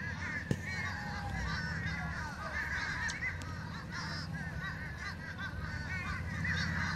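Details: A group of fish crows making a ruckus, many overlapping nasal caws in quick, uneven bursts, a continuous chorus with no gaps and a single sharp knock near the start.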